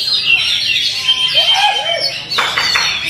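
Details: Kacer, the Oriental magpie-robin, sings a busy stream of high thin whistles and chirps, with lower curving voice-like notes midway and quick clicking bursts near the end; faint speech behind.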